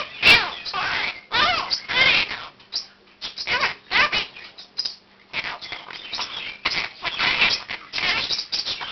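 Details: A one-year-old pet male Quaker parakeet indoors at 7 am gives his morning wake-up call, practising learned words and phrases as other birds in the room join in. Dense bursts of harsh, squawky, speech-like chatter come with brief pauses throughout.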